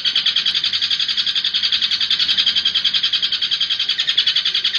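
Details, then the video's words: Lure track of a long-tailed shrike singing in the rapid 'nembak' style: continuous grating chatter made of fast, evenly spaced pulses, loud and unbroken throughout, with no other birds or background noise. "PANCINGAN CENDET AMPUH,, NEMBAK DURASI 5 MENIT"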